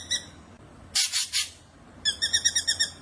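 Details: Wild black drongo singing in nature: a short harsh buzzy burst, then after a pause a quick series of about eight ringing, harmonic-rich notes evenly repeated, over faint low background hum.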